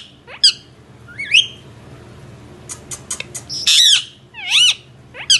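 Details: Indian ringneck parrot with sporadic rising chirps, a cluster of sharp clicks, then loud harsh squawks with wavering harmonics, calls spaced irregularly over a faint hum.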